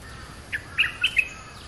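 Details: Streak-eared bulbul in a territorial contest with a fierce territory holder, used as a lure sound: four short, bright chirped notes, the middle two slurred, over a faint steady hiss.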